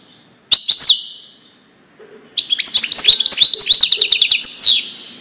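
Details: European goldfinch performing a Widani-style song for teaching young birds: an opening tinkling phrase and a short silence, then a long, quick chain of bright chirps and twitters rising and falling in pitch.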